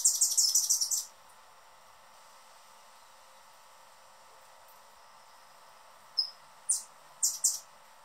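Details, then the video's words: A male Anna's hummingbird, guarding his favourite feeder from a perch, gives a fast, thin burst of high chips, then a few sharp, isolated chips about half a second apart, over faint background hiss. "Anna's Hummingbird sounds calls chirping"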